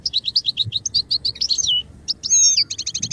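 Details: Goldfinch song from a training recording, a steady run of bright repeated chirps, a downward-sliding twitter, then a long looping whistled note and a fast rattling series of clipped notes.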